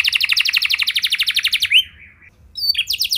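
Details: Canary song used to stir other canaries into long singing: a quick pulsed trill ends in a sliding down-slurred note, a short gap, then the trilling picks up again.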